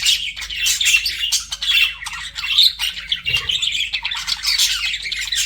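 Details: Budgies flirting, their chattering warble of high chirps and squawks running on with uneven pulses and a faint low thump midway.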